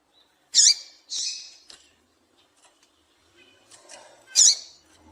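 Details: Female double-collared seedeater calls used to stimulate males to sing: three short, harsh, squeaky notes, the first two close together, a pause of about three seconds, then a third loud note, with faint rustles between.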